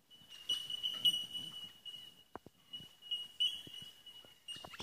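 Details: At D'Aguilar National Park near Brisbane, Australia, bell miners keep up a continuous high, bell-like tinkling tone with brief louder pings, while a few soft thuds and rustles sound underneath.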